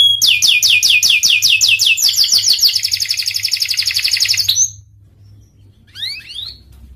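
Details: Panda canary singing with energy: quick repeated whistled slurs accelerate into a rapid rolling trill lasting about four seconds, then silence broken by a few soft rising chips.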